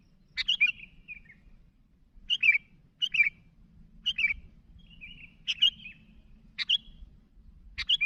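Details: Sooty-headed bulbul calling to other birds with irregular short bubbly chirps, some trailing into brief whistled tails, over a steady low background murmur.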